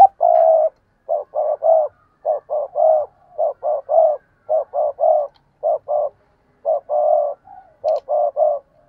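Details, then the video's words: Decoy spotted dove calling and cooing intensely, used as a lure to get other doves to call: clean, low, hollow coo notes in short clusters of two or three, repeated steadily about once a second, with a quiet background. "Cu Gáy Mồi Thúc và Gù Ác Liệt"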